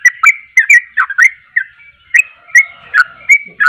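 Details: Sooty-headed bulbul in full voice to provoke others of its kind: scattered bright chirps and short whistles, some drawn out and level, in loose irregular phrases.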